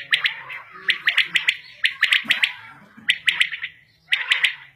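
Common quail giving bright, liquid three-note calls, each quick triplet repeated about once a second against a quiet rustling background.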